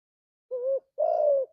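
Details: Spotted dove, kept and recorded as a training master for other doves, singing a soft low coo followed by a longer, slightly rougher and louder coo, with quiet background.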